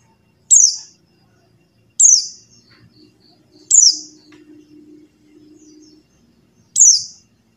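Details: White-eye of the type locally called pleci buxtoni, its call used to prompt silent white-eyes into singing: four sharp, very high notes sweeping steeply downward, spaced irregularly with quiet gaps, over faint low background hum.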